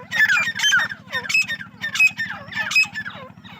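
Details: Female grey francolin (teetar) at a francolin farm in Pakistan giving squeaky, sharply bent notes in quick overlapping bursts, several birds calling at once, with a steady low mechanical hum throughout.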